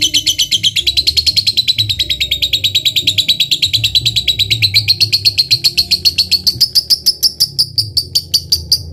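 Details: Fighter lovebird in a lively ngekek, used as a lure to provoke a rival: a long, fast, even chatter of sharp high notes whose pitch drifts gently upward near the end, over a faint low hum.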